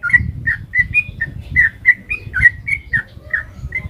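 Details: Sooty-headed bulbul giving a long, lively 'ropel panjang' song meant to make other birds sing back: a run of short clear whistles, about three per second, varying in pitch, with low handling-like rumbles beneath.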